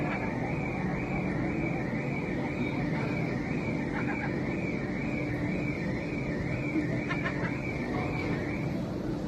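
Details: A warbling electronic tone, like a car alarm, repeats steadily over a low traffic rumble, with no animal calls.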